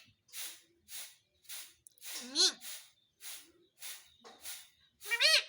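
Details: A pet talking parrot that says "mummy papa": short breathy voice-like syllables repeated about twice a second, with two louder harsh, rising squawk-like utterances.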